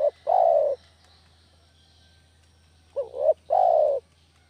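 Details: Village spotted dove lure recording used to attract doves for trapping: two phrases about three seconds apart, each a short wavering double note followed by a long, drawn-out, slightly falling coo, over a faint low hum.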